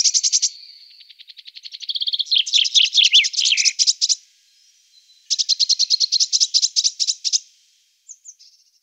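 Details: Eurasian blue tit producing dense, rapidly repeated high ticking notes in long buzzy churring runs about two seconds each, separated by a short silence, ending with a few faint thin chirps.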